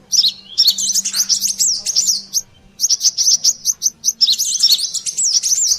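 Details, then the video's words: Brown-throated sunbird used as a lure: busy, shrill chattering of quick, thin chips and squeaky twitters, with a steady faint low hum underneath and a short break near the middle before the chatter resumes. "suara pikat burung Kolibri Klapa/sogon ontong ributt"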